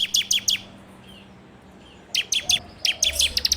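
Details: Android recording of a bar-winged prinia (ciblek) as a training lure: three sharp high chips, a quiet gap, then further clipped chirps in uneven short groups.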